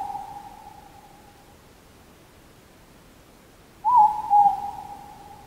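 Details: A Morepork on Mt Karioi, North Island, gives its hooted two-note 'more-pork', a higher first note followed by a slightly lower one, after the fading tail of an earlier call in a quiet night.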